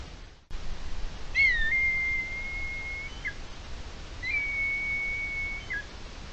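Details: Red kites gathering at a roost on 4 January 2023 in Spain: two long, high whistles, each opening with a brief quaver, held steady for over a second then dropping away, over a soft rushing background.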